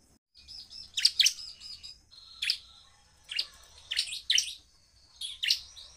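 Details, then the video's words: A Bar-winged prinia gives sharp, high chipping bursts of quick doubled notes, about every second, over a faint steady hiss; a fast, powerful, agitated song meant to provoke other prinias. "CIBLEK GACOR suara penuh emosi tembakan ful POWER sangat cepat memancing emosi ciblek lain"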